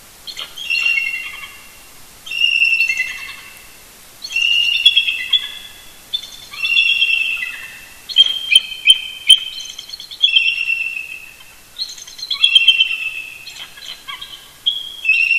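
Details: A pair of eagles, a mated couple roosting near their nest at Big Bear Lake, California, call in an early-morning duet on 18 November 2018: high, thin, chittering squeals in bursts about two seconds long, voices overlapping and repeating steadily.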